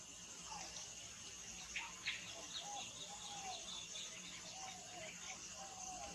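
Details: Black-headed Cuckooshrike (Lalage melanoptera) at Coimbatore, India, giving soft, falling whistles repeated roughly every second, with higher chirps from other birds over a steady hiss.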